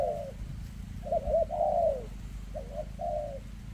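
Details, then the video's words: A spotted dove with shaky legs coos in the 'kèm rước' style: a falling coo, then a pair of quick notes running into a long descending coo, then two more short phrases, over a low hum. "Chú Chim Có Tặt Có Tài , Siêu Phẩm 2024 Kèm Rước Siêu Dầy ( Chim Bị Rẩy Giò )"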